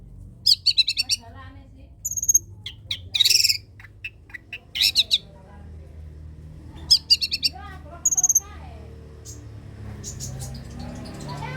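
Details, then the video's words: Long-tailed shrike in energetic song, used as a lure and tutor for reluctant shrikes: short bursts of sharp, high chirps and a brief whistled note, repeated in clusters with pauses, over a faint low hum. "cendet pastol gacorr || sangat cocok buat pancingan dan masteran cendet malas bunyi"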